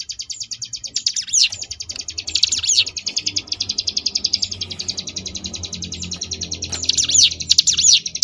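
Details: Sunda bush warbler giving ngebrem variation song, recorded as tutor material for competition birds: a sustained fast rattling trill high in pitch, with swooping phrases at the start, middle and end, and a faint low hum beneath.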